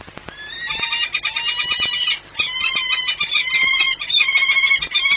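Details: Peregrine falcon courtship at a nest at Orlen Płock, Poland, on 6 March 2021: ringing, harmonic call notes repeated in quick chattering runs, more than one per second, in a long broken sequence.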